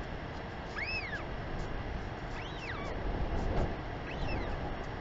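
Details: Northern royal albatross at a New Zealand nest, 28 March 2021 around 2:51 pm, a mother greeting and feeding her chick, giving three thin, whining rise-fall calls about every 1.5 seconds over steady wind rumble.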